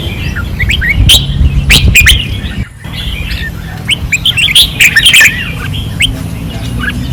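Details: Caged red-whiskered bulbuls on a training perch in 2024, singing fiercely: bouncy warbled notes and short slurred whistles in loose clusters, with a short quiet gap midway and steady low rumbling noise.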